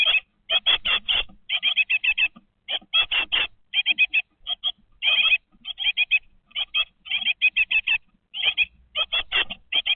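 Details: Nestling great tits aged 20 days in a nest box: continuous clusters of rapid, harsh, high-pitched chirps, several per second, with short silent gaps between bursts, picked up by an in-box webcam.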